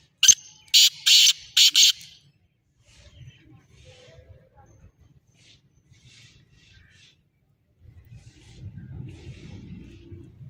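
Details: Black francolin, locally called kala teetar: a loud rasping burst of four grating notes in the first two seconds, followed by near silence and then faint low murmuring.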